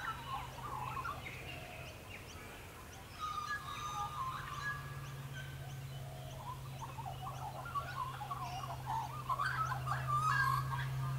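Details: Australian magpies singing in the background while a neon cuckoo bee roosts on a grass blade, warbling in varied, fluty, gurgling phrases that rise and fall, over a steady low hum.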